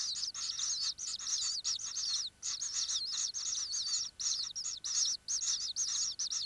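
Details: Common kingfisher recorded inside its nesting burrow: fast runs of high, thin chirping notes in short bursts, with brief pauses between groups.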